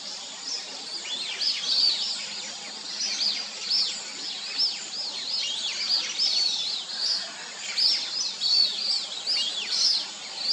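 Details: A flock of plumed whistling ducks gives a steady, overlapping chorus of high, thin, arching whistles, several each second, over a faint background hiss; recorded 7 June 2023.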